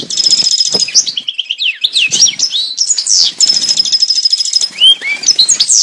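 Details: European goldfinch song intended to prompt mating in males and females: continuous high twittering with two stretches of rapid buzzy trilling, interspersed with swooping whistled slurs and chattering notes.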